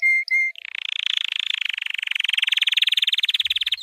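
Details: White canary training song: two short steady whistled notes, then a long rapid rolling trill with a rattling, evenly repeated pulse lasting over three seconds.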